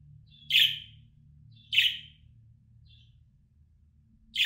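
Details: Three loud grating budgie chirps spaced just over a second apart, plus a faint short note, over a steady low hum. This contact call is meant to coax an escaped budgerigar back.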